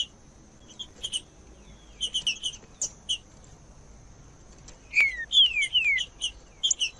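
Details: Green-winged saltator singing, used to warm up a quiet bird: scattered short high chirps, then a burst of four clear descending whistled slurs near the end, followed by more chirps.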